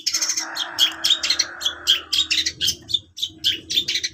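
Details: Long-tailed shrike in fast, scratchy chattering song, notes tumbling out several per second, accompanied by a steady low background hum and a brief broad hiss early on.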